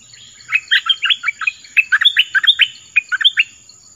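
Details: Orange-headed thrush song, used to call in wild birds and coach young birds: a fast, varied chatter of bright chirps and short slurred notes, densely packed, with a steady thin high tone in the background.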